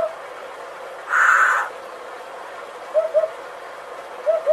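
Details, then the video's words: Hoopoe voicing low, mellow paired hoots, 'oop-oop', twice, with a brief loud scratchy rasp heard earlier. "Hoopoe 후투티"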